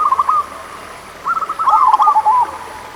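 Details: Local zebra dove song used to encourage lazy doves to sing: a short opening run of bubbly notes, a pause, then a longer loud stream of quick rolling coos.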